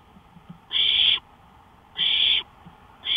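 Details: Owl heard from a porch at 1:53 AM, May 5, 2013: a series of strong rasping hisses about 1.2 seconds apart, with faint ticks and taps in between.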